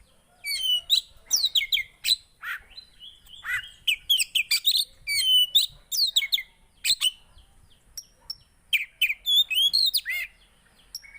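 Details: Lively, continuous Javan white-eye song used to encourage silent birds to sing, with fast high twitters, looping slurred whistles and sharp chips tumbling together for over ten seconds with short breaks.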